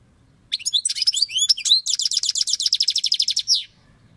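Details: European goldfinch song from Turkey: a varied opening of upslurred and twisting whistles, then a fast, even trill of about twenty clipped notes ending in a short slurred note.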